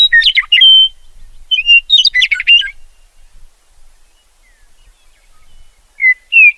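A meadowlark gives two bursts of clear, flute-like whistles that tumble into quick gurgling notes, then pauses before starting another whistled phrase.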